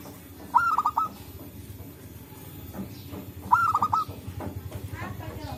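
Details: Local zebra dove singing in forest, calls exchanged between birds, used to lure birds for trapping: two rapid, rolling coo phrases three seconds apart over a low, pulsing rumble in the background.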